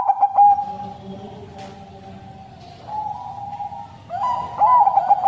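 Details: Bangkok crossbred zebra dove in a cage with a long, mournful song. Brief staccato coos open the recording, then a louder run of quick, trilled coo notes closes it, backed by a low steady hum of other birds.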